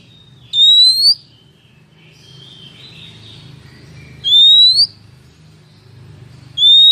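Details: Female Oriental magpie-robin calling to draw in males, a lure recording for trapping: three loud, pure, upward-sliding whistles, each about half a second long and spaced a few seconds apart, over a steady low hum.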